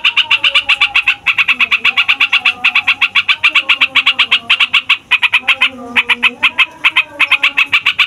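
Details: Yellow-vented bulbul's long rolling song, used to provoke songbirds and attract wild bulbuls: rapid repeated raspy notes in long runs with brief dips, faint low gliding tones underneath.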